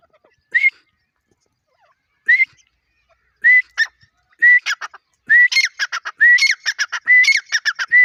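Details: Grey francolin (teetar) call building up: single rising whistled notes spaced a second or more apart, then quickening into dense runs of harsh, chattering notes with whistled accents. No other sounds are present.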